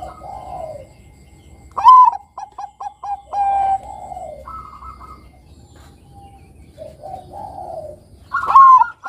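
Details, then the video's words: Bangkok zebra dove singing to spur young doves into singing. Soft low coos, then a sharp rising note and a rapid run of short, staccato coos ending in longer mellow notes. The pattern recurs near the end. "Pancingan Suara Perkutut Bangkok Kutut Bangkok Gacor Manggung Bagus Buat Mancing Kutut Remaja Bunyi"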